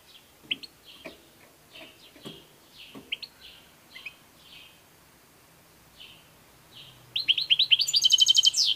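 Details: European goldfinch: soft, scattered chirps and faint clicks, irregularly spaced for several seconds, then a loud burst of rapid rising notes breaking into a fast, buzzy high trill at the end.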